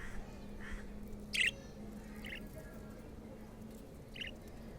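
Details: Playing pet budgerigar with black-face colouring gives one loud, harsh chirp followed by two softer short calls, set against a constant low droning hum.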